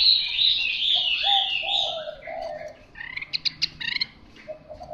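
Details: Fighting hwamei practising song: a burst of loud whistled warbling fades into softer low notes, followed by a series of sharp, evenly spaced clicking taps.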